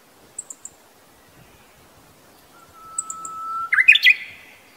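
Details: Japanese bush warbler in a quiet mountain area of Kita-Harima, Hyogo, on a sunny warm day gives an echoing hoo-hokekyo song: a long steady whistle, then a quick rising warbled flourish, after high thin chips from another bird.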